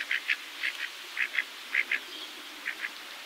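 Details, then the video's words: Pacific black duck uttering clipped, nasal quacks in quick doubled bursts, pairs repeated every half second or so, with brief pauses between, over faint background hiss. "Pacific Black Duck Call Song Sound"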